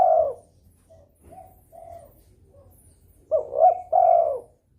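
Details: Breeding spotted dove calling to draw rivals into calling: a long falling coo, a few soft short coos, then a loud phrase of a rising double note and a sustained coo.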